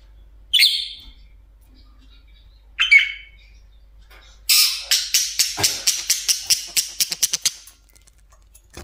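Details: Budgerigar kept as a pet, sitting atop its favourite cage: two sharp single squawks a couple of seconds apart, then a fast run of about a dozen clicking, rattling notes lasting roughly three seconds.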